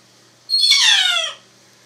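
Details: A female Moluccan cockatoo, described as singing on a Sunday morning, gives one loud, harsh screech lasting under a second, starting high and sliding downward with a raspy, grating tone; no other sounds.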